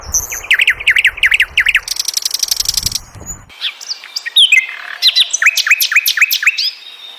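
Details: Flycatcher, known locally as sikatan londo, singing a varied, fast, high song: repeated rising-falling slurred notes, then a buzzy rapid trill, then a burst of sharp chirps and quick downslurred whistles.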